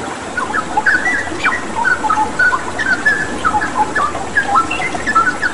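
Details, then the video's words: Straw-headed bulbul song used for bird training with water sounds: rapid, rich whistled phrases of short upslurred and downslurred notes, tumbling one after another above an even background of flowing water. "Masteran Cucak Rawa Gacor dengan Terapi Air"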